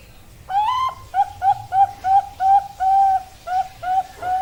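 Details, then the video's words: Female zebra dove of Bangkok type: a rising opening note, then around ten short, bright cooing notes in a brisk, slightly irregular rhythm. "Perkutut bangkok Suara Betina Bagus"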